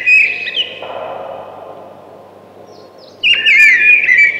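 A thrush sings two rich, fluty, warbled phrases separated by a brief pause, with a quiet hiss of background noise between them.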